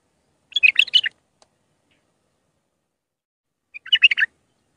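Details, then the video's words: Bulbul of the Iraqi Mandalawi type singing raw song as a lesson for chicks: two short bursts of hurried, scratchy warbles about three seconds apart, otherwise silent. "تغريد بلبل عراقي خام مندلاوي راقي ساعة كاملة التعليم افراخ البلابل"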